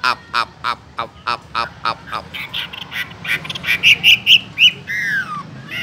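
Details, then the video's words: Chinese hwamei kept in a cage, opening with a series of harsh, rasping broadband notes, then switching to clear, loud whistled notes and a final descending slurred whistle. "Làm thế nào để nuôi được chú họa mi hót như này"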